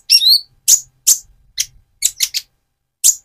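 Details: Speckled Van Hasselt's sunbird, moulting into metallic feathers, gives its lure song for another sunbird: a thin rising whistle followed by spaced sharp high chips.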